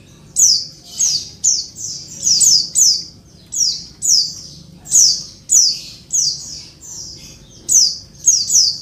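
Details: High buzzy calls of a female Oriental white-eye, used to stir males to reply and sing: each note drops steeply then holds a brief rasping tone, delivered in irregular bursts of one to three, about twelve across the stretch.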